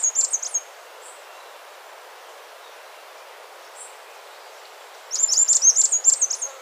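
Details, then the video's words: Slaty flowerpiercer (Diglossa plumbea) gives a very high, thin, twittering song of rapid jumbled notes, in two bursts with faint soft notes between. "O canto do Perfurador de flores xistoso"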